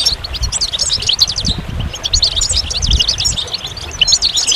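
A goldfinch sings a fast, unbroken stream of bright, tinkling twitters and buzzy trills, high-pitched and lively, over a low rumble of wind or background noise.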